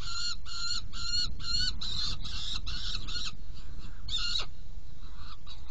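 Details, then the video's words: Saker falcon nest box, feeding on 17 June 2018, 10:31: a run of harsh, screechy repeated notes, then a pause and one more loud rasping call, with quieter calls and low hum at the end. "Kerecsen fészekdoboz 2018.06.17. 10:31 etetés"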